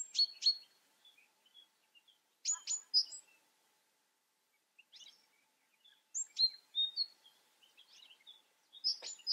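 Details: European goldfinch singing in short bursts of high, tinkling twitter notes. Phrases come every two to three seconds, with quiet pauses between them.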